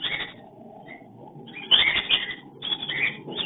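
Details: Mating calls of breeding cockatiels caught by a hidden camera: a quiet opening chirp, then a loud burst of grating, high squawks and chattering notes over a low background hum.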